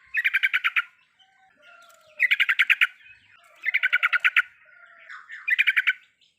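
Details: Yellow-vented bulbul in full riwikan style, meant to coax a quiet bird into song: four bursts of fast, bubbly chattering notes, each lasting under a second and spaced about one to two seconds apart.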